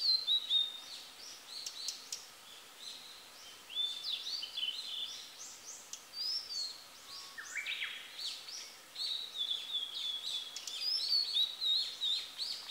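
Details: Singing female blue-and-white flycatcher: a long stretch of dense, high whistled phrases with slurred and warbled notes, some pauses between bursts, over steady faint background noise.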